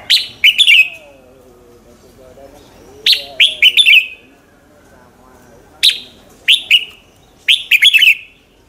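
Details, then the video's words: Morning song of a red-whiskered bulbul, used as a lure to prompt other bulbuls into contest singing: clusters of two to four sharp, bright, falling whistled notes repeated every few seconds, with a faint low murmur between phrases. "luyện giọng chào mào hót buổi sáng, Hót hay nhanh lửa"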